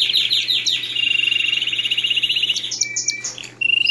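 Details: Belgian canary song for training young birds: a rolling trill of repeated notes over a steady low hum, then scattered chips and a short high whistled trill.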